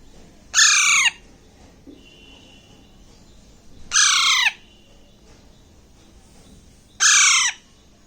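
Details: A hand-fed Alexandrine parakeet chick about one and a half months old gives three loud, harsh, downslurred screeches while eating grapes, each about half a second long and roughly three seconds apart, over a quiet background.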